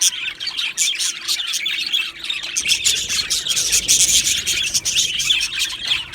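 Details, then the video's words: Two male Australian budgerigars chatter continuously, a dense stream of high scratchy chirps, squeaks and rapid warbling notes overlapping without pause, with no other clear sounds. "2 Male Budgies Birds Sounds | Australian Budgies Birds chirping sounds"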